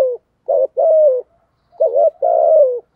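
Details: Deep 'giọng thổ' coos of a spotted dove: two phrases, each opening with a brief wobbling note and ending in a drawn-out, slightly falling coo, the second phrase after a short break.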